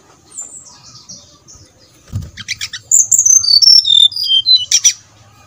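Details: A brown-chested jungle flycatcher lure song to prompt singing: thin high notes open, then a brisk series of clear whistles descending step by step, ending on a rougher note.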